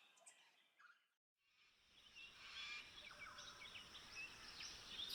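Laughing kookaburras break into a harsh, rolling cackle that builds in loudness after a brief pause. Several voices seem to overlap in a chaotic chorus.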